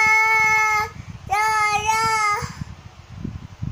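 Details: A cockatoo sings two steady, reedy notes of about a second each with a short gap between them, followed by low background rumbling.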